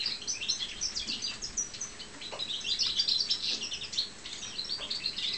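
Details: European goldfinch of the balcanica subspecies, a caged pet, uttering rapid high tinkling chirps and short trills, many notes per second, with faint low background noise.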